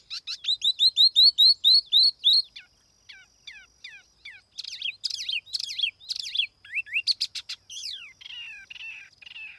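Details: Laughingthrush song used as a lure, recorded clean: begins with a loud even run of bright rising whistles, about five per second, then softer scattered notes and a jumbled stretch of mixed whistles and sharp chips.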